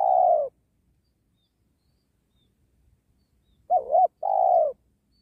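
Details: Spotted dove luring wild birds to a trap beside a sacred tree: the end of one drawn coo, a pause, then a wavering two-part note and a long, smooth descending coo.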